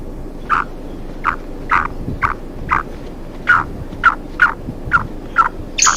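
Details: A pair of black francolins moving freely through forest, with short clipped notes repeated roughly every half second in an even series over a noisy background.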